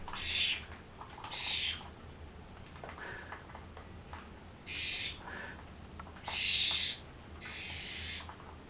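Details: Noisy racket from common starlings, with harsh broadband screeches coming in separated bursts, about six in all, mixed with a few softer, lower chattering notes and a faint background hum.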